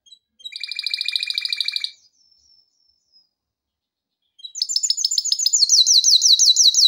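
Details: A male canary sings for training, a steady rapid trill for about one and a half seconds, a pause, then a loud high rolling trill of rising-falling notes.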